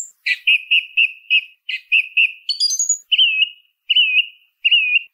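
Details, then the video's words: Singing song thrush repeating one clear whistled note about five times, then a burst of high squeaky notes, followed by three longer wavering whistles at even spacing. Quiet background. "SONIDO de ZORZAL COMÚN CANTANDO"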